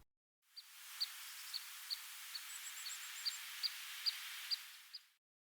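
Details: In late October in a ponderosa pine forest, a very active flock of pygmy nuthatches gives musical, short, high piping beeps at an uneven quick pace over soft hiss, around the time they dove at and drove off a male hairy woodpecker.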